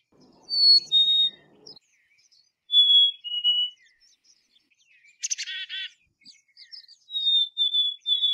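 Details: Black-capped chickadee giving two-part whistles, each a pure high note dropping to a lower one, repeated twice, then a harsh banded burst and a closing series of thin whistles.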